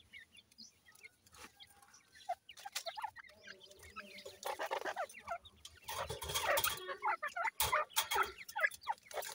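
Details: Grey francolin chicks fed by hand: soft scattered peeps early, then a busier stretch of chirps mixed with rustling and handling noise.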